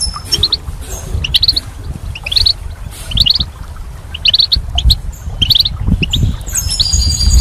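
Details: Goldfinch in spring giving short clusters of sharp, high chirps about once a second, ending in a denser twittering phrase, against low background rumble.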